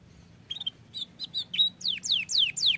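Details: Canary song meant to set other canaries singing: scattered high chirps building into a series of steeply falling whistled sweeps, each under half a second, growing louder.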